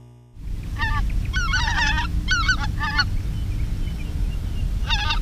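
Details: Greater white-fronted geese calling in response to decoy calling, recorded in 2016: several high, squeaky two- and three-note yelping honks in bursts over about four seconds, a final burst near the end, over steady low rumbling wind.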